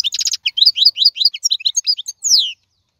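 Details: European goldfinch, wild maqnin, singing during the 2022 season. A brief buzzy burst leads into a run of quick liquid chirps, about two or three per second, then a long downward-gliding whistle, then silence.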